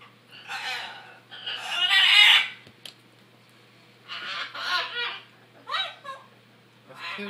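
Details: Harsh, raspy macaw squeals from an aggressive, noisy bird making goose-like noises, arriving in several loud bursts separated by brief pauses, the strongest around two seconds in.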